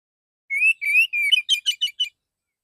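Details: Male Oriental magpie-robin singing in the shooting "tembakan" style with a clear, open "ngeplong" voice: three rising whistled slurs, then a fast run of short sharp chirped notes, with no other sounds.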